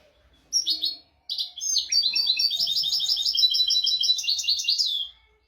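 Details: Royal tutor song of a European goldfinch, used to teach goldfinches and canaries to sing without mistakes. Two short twittered bursts, a brief pause, then a long rapid run of high, liquid, tinkling and buzzy notes that ends abruptly.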